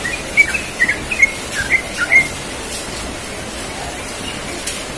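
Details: Yellow-vented bulbul giving a relaxed rolling 'ropel' song in the morning: a two-second burst of bright slurred whistles, then near-silence with faint background hiss.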